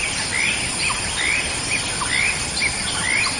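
California quail giving short, rising whistled notes, each followed by a brief clipped note, repeated about once a second over steady hissing background noise.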